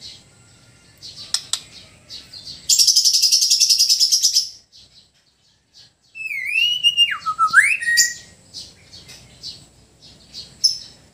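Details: White-rumped shama from Sabah, Borneo, singing relaxed and loud phrases: a harsh, buzzy chatter lasting about two seconds, a short pause, then swooping, slurred whistles falling and rising, ending in soft twitters.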